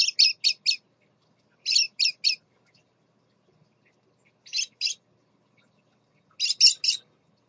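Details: A male scarlet-chested parrot with his babies gives quick, harsh, high chirps in clusters of two to four, four bursts over seven seconds, with quiet between.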